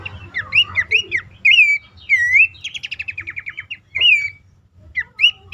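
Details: Abbott's babbler lure calls for caged birds reluctant to sing. Rich looping whistles, a descending rapid trill, then more clear swooping whistles separated by brief pauses. Soft low hum.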